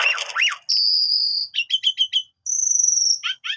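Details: Asian pied starling in melodious 'gacor' song: a harsh downswept phrase, a long thin steady whistle, four quick paired chirps, another long high whistle, then two short buzzy notes.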